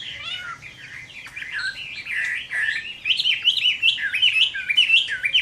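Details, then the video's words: Fighting song of a Chinese hwamei at summer midday, starting soft and building to loud, choppy whistled phrases that jump between pitches, repeated in quick bursts. "HỌA MI CHIẾN HÓT TRƯA HÈ"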